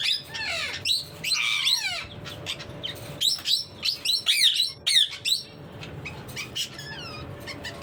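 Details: Parrot in an extended run of rapid, raspy chirps, squawks and downward-sweeping whistles, loud bursts alternating with softer chatter, with a faint steady hum behind.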